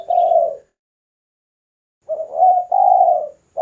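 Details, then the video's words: Spotted dove song used for luring birds and for song training: one short, soft low coo, a silent pause of over a second, then a longer multi-part cooing phrase. "SUARA BURUNG DERKUKU / TEKUKUR GACOR UNTUK PIKAT DAN MASTERAN"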